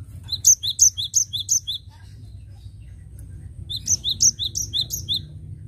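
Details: Energetic cinereous tit song used to attract birds: two phrases of rapid paired high notes, one higher then one lower, repeated about three times a second, with a quiet pause between them over faint low hum.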